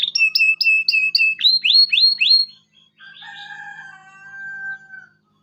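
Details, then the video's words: Local canary song played to teach young canaries. Five quick paired chirps, then four upward-flicking notes, then softer, longer steady whistles at lower pitch that trail away. "KENARI LOKAL GACOR CUIT CUIT EMOSI, PANCINGAN LENARI PAUD AJAR BUNYI"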